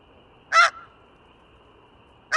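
A snow goose gives one loud, harsh, nasal honk, and a second honk begins at the very end. The background is otherwise quiet.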